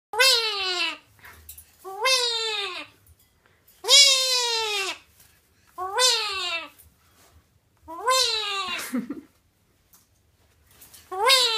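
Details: Pet bird, not wing-clipped, excitedly calling: six drawn-out, harmonic squawks, each about a second long and sliding downward at the end, spaced roughly two seconds apart with quiet between.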